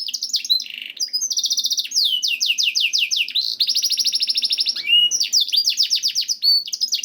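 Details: Canary masteran song for encouraging canaries to sing: continuous rolling trills of rapid downswept notes, interrupted by a long steady buzzy roll and a short whistled note.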